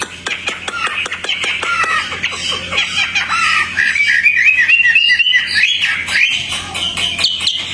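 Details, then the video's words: Energetic outdoor Hwamei song: a volley of sharp clicks and falling notes leading into a long, fluid run of wavering, looping whistles. "Wambi Hwamei Gacor jinak total outdoor"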